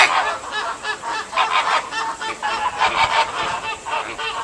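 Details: American flamingos at Ueno Zoo, Tokyo, in July 2014, where a chick had hatched a day earlier, keep up a steady chorus of nasal, goose-like honks that overlap in rough bursts, with no pause.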